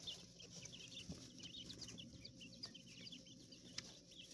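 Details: Coturnix quail chicks kept in an enclosure inside a hotel room in a small urban setting: many thin, high peeps overlapping continuously, with low rumbling room noise beneath.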